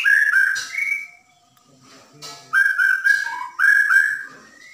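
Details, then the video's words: White-rumped shama from Borneo singing in the "dar der dor" style, used to goad a silent caged bird into song: clear, loud, flute-like whistled phrases, some dropping lower, broken by a short quiet gap. "Murai borneo gacor / Masteran murai batu borneo / gacor dar der dor / pancingan murai macet bunyi"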